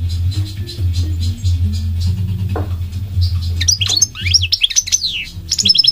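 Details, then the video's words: Migratory goldfinch twittering and sweeping up and down in the second half, after a stretch dominated by a steady low droning hum. "The elegant migratory goldfinch sings the most beautiful singing"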